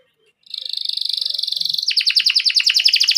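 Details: Canary in full, vigorous rolling song, played to coax young birds into singing: a sustained high buzzy trill for over a second breaks into a quicker series of sharp, pulsing repeated notes.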